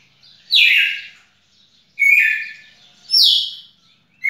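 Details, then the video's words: Red-cowled cardinal recorded 18 June 2021, singing loud, slurred, descending whistled phrases, about one every 1.3 seconds, bright and ringing against a quiet background. "Galo-de-campina fantástico"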